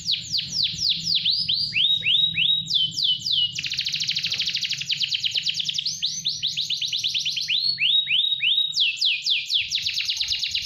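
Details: Caged AFS canary in full, continuous song: rapid series of high descending whistled notes, then a long buzzy trill, then further falling whistled phrases and another rolling run, sustained without pause.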